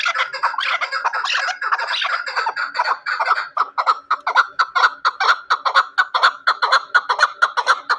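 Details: Chukar partridge kept for hunting: harsh, jumbled chattering at first, settling into a fast rhythmic series of chuck notes, roughly two per second and growing louder and more regular.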